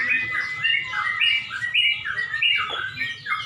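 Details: Yellow-vented Bulbul song at a contest in Pemalang before dusk: short, fluty, bouncing whistled phrases repeated in quick bursts, with other contest birds chattering behind.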